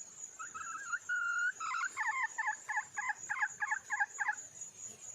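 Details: A wild red junglefowl hen calls for a male: brief wavering notes and one long held note break into a quick run of about nine clipped clucks, with constant shrill insects behind.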